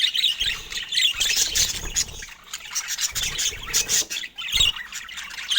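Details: Dense, high budgerigar chatter, said to be happy, swells and dips in waves over repeated soft low thuds.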